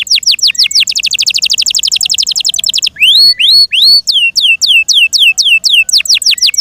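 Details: Song of a Yorkshire canary. A long, rapid rolling trill of falling notes gives way to slower, separate swooping whistles, each rising then dropping, delivered roughly three per second.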